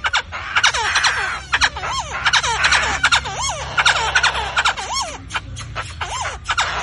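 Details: Rare white-eyed black-throated laughingthrush in Vietnam, singing while dancing, gives a rapid series of rich swooping whistles, each curling down then up. Dry rattling chatter is interleaved throughout.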